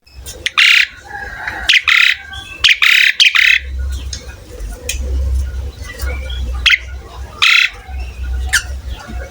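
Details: Asian pied starling (jalak suren) in full, prolific song, recorded as a training track for cage birds: harsh squawking bursts in quick clusters, then quieter chatter, over a steady low hum.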